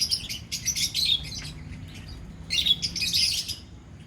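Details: Lovebirds in a colony give two bursts of rapid, shrill twittering, the first over about a second, the second after a quieter gap of roughly a second and a half. Faint low background hum.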